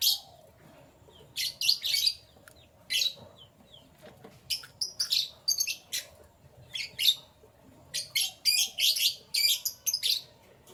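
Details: Canary song in the morning: many short, bright, high twittering phrases broken by brief pauses, with some rapid trills toward the end.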